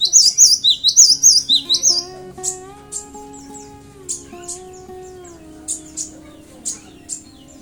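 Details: Cinereous tit singing, used to provoke other birds into song; loud, rapid zigzag whistled phrases for two seconds, then sparse short high chirps over sustained background music tones.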